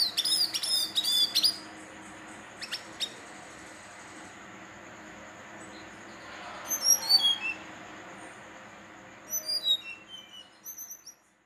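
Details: Young male brown-chested jungle flycatcher (Cyornis brunneatus), aged 3–4 months, from Banten, gives high, thin whistled phrases in short bursts, including a quick descending run of sweet notes, over a quiet background.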